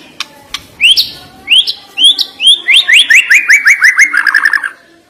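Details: White-rumped shama (murai batu) singing a sharp, lively phrase for a lazy bird: rising whistled notes that quicken into a rapid descending series of repeated upslurs, ending in a fast trill.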